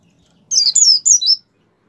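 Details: Kept white-eye giving a short energetic song phrase to spur other white-eyes into singing: four rapid, high, sliding whistled notes in under a second, each dipping in pitch, in a quiet setting.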